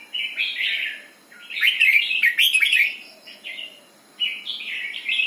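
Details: Red-whiskered bulbul in doubled 'berl' song, rich rolling warbles rising and dipping, one loud sharp cluster in the middle, then quieter chortles resuming after a short break.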